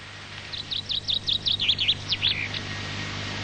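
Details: Common chaffinch song from an old recording: a bright, quickening series of about a dozen descending notes ending in a short flourish over a low hum, from Cambridge-area research on learned song and regional dialects.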